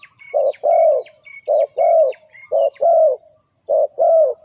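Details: Trapping lure of a spotted dove cooing four times in steady succession, each phrase a short note then a longer mellow falling coo, while small birds chirp thinly in the background.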